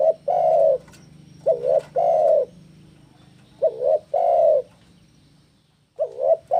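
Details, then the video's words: Spotted dove song, a recording used to lure and train doves: phrases of deep, hollow coos, a short double note followed by a longer drawn-out coo, repeated about every two seconds, with a low steady hum beneath. "Masteran Burung TEKUKUR Gacor - AMPUH Pancing Tekukur Bunyi"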